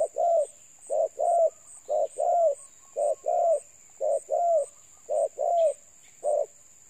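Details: Spotted dove cooing: low hollow coos, mostly in pairs, repeated steadily about once a second, over a steady high electronic hum.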